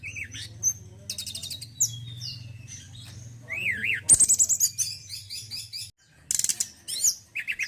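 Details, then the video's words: Male White-browed Shortwing in long varied song: high trills, looping whistled notes and a fast descending trill, separated by short pauses, over a faint low hum. "TLEDEKAN GUNUNG JANTAN YANG BAGUS KICAUANNYA"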